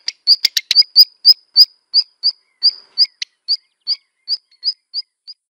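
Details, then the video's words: Black redstart calls: a series of thin, high, clipped notes, opening with a few dry ticking clicks and then slowing to about three notes a second. "Black redstart song and calls"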